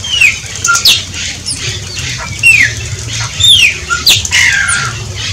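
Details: Shiny cowbird song: liquid downward-slurred whistles repeated about every second, mixed with sharp ticking sputters and a few short low whistles, over faint background hum.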